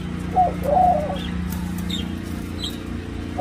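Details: Nest coo of a Senegal dove crossed with a ringneck dove, kept in Thailand: one soft, mid-pitched coo phrase early on, then mostly a continuous low hum with a faint note at the end.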